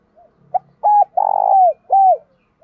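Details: Spotted dove used as a lure bird, giving the field-style "thúc bổi" coo: a short note, then a drawn-out cooing phrase and a final falling coo, low and mellow.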